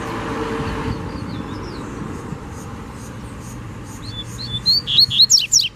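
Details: Double-collared seedeater in the wild, singing in a fight over territory. Soft scattered whistles build into a loud burst of sharp, high, slurred notes at the end. Background noise stays low and steady throughout.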